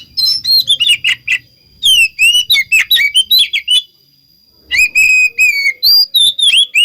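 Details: Oriental magpie-robin singing to lure others of its kind into answering: bursts of clear rich whistles with rising and falling notes, split by a short silence near the middle, then more bright warbled phrases.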